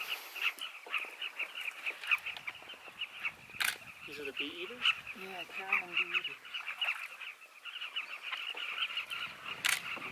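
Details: A nesting Southern Carmine Bee-eater colony covering a canyon on the Zambezi, heard from a canoe, keeps up a steady chatter of short, throaty calls overlapping without pause, with people talking briefly partway through.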